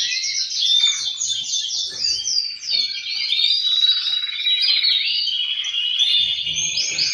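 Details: Caged male canaries in full song, a strong singer with other males replying, used to stir birds toward breeding. Rapid rolling trills and sweeping whistled phrases shift pitch every second or so without pause.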